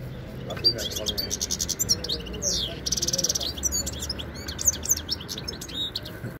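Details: European goldfinch (Carduelis carduelis) singing a fast, tinkling stream of high twitters and liquid chirps, with a few quiet spoken words in the background.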